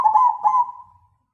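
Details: Zebra dove, black cemani Majapahit type noted for its big voice, delivering one quick stuttered coo phrase that breaks into a smooth drawn-out note fading away.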